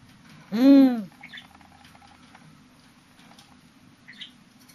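A Spotted eagle-owl gives a single loud, hoarse note of about half a second that rises and falls, followed by quiet background hum and faint clicks.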